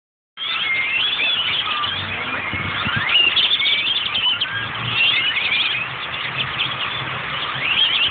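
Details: A dense, continuous chorus of squeaky whistles, rising slurs and harsh chatter from a large flock of grackles in Austin, with many birds calling over one another.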